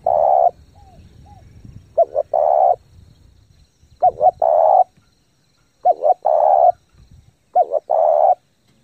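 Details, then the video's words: Spotted dove cooing hard to excite lure birds and train new ones: a steady run of about five phrases, each quick paired notes and a long throaty coo, with soft short notes between phrases. "chim cu gáy thúc gù tốc độ căng lửa kích mồi tập bổi cực mạnh"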